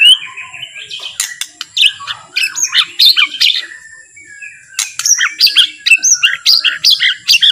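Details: Relaxed, soft song of a white-rumped shama used to provoke other shamas into singing: a varied jumble of fast chips, trills and short whistles in two bursts separated by a brief lull.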